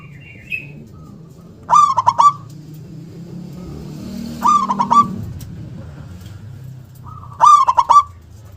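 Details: Three bursts of fast, stuttering coos, each stretched into a level held note, from a loud-voiced local zebra dove with a punchy 'KUNG' ending, over a low background rumble.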